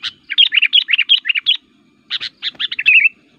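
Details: Sooty-headed Bulbul giving an energetic challenge song that riles up other kutilang. A rapid, continuous string of bubbly, up-and-down whistled notes breaks for half a second, then resumes with chirps and ends on a drawn-out slurred whistle.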